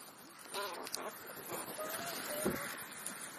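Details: Crow during a feeding session uttering faint, nasal, tonal notes: a short pair early, then longer flat calls later, over steady background hiss.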